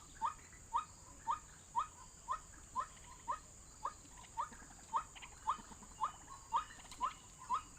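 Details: White-breasted waterhen calling on an MP3 used to lure birds into traps: short, sharp, rising notes repeated steadily about twice per second, fifteen in all, over a quiet hiss.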